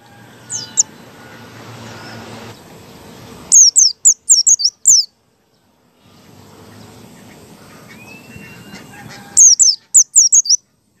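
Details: White-eye (pleci) singing ngalas style as a lure for other white-eyes: two bursts of five or six high, quick down-slurred whistles separated by silence and faint low background noise.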